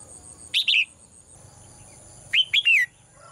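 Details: Caged female bird singing in the morning, with two bursts of clear chirps, the first a double note and the second a triple with the last note falling, over a continuous high whine.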